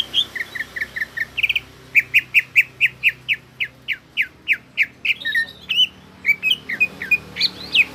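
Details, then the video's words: Greater green leafbird singing in an energetic gropyokan gacor style: series of short, downward-sweeping whistled notes repeated about three per second, then varied squeaky, rising phrases near the end. "BURUNG CUCAK IJO GROPYOKAN GACOR"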